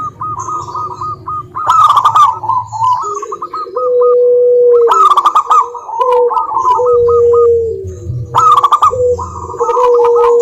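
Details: Local zebra dove lure song for silent doves: rows of short clipped ringing coos and rolling bursts, overlapped by a lower, smooth, sustained cooing tone, with sharp clicking and low hum.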